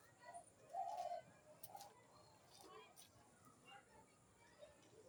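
A pigeon gives a soft, low, rolling coo that peaks around one second in, then fainter coos follow, with a few sharp clicks and light background noise.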